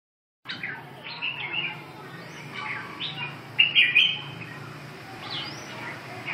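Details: Red-whiskered bulbul singing: short clear whistled phrases, some rising and some falling, delivered in quick bursts, with a louder warbled run near the end over a steady low background hum.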